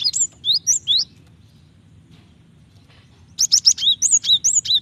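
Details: Female Java sparrow calling to a male to spur his song: a few rising, bell-like high notes, a quiet pause, then a dense, busy run of sharp chirps and ringing tones.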